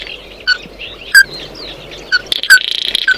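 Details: Oriental white-eye singing to call its flock: short, sharp chips spaced irregularly about once a second, each bright and clipped, with softer twittering and a brief buzzy rattle near the end.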